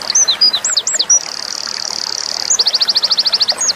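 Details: Winter wren song played as a tutor for small cage birds like white-eyes and magpie-robins: high slurred whistles, a long dense buzzy trill, then rapid even repeated ringing notes ending in a clear whistle.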